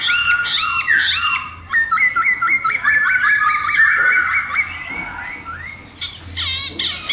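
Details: Khướu mun laughingthrush singing: bold looping whistles open the phrase, then a string of short stepped notes repeated several times, a pause and loud bright whistles to finish. A faint hum is in the background.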